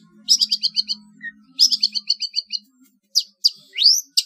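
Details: Long-tailed shrike song for training competition birds, trotol style: two fast runs of about seven rapid high chirps, then sharp slurred notes and one long rising whistle.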